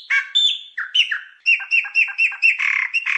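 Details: A Chopi blackbird singing in the wild gives a lively run of liquid whistles and clucking notes, then quick repeated chirps at about four per second, with nothing else heard.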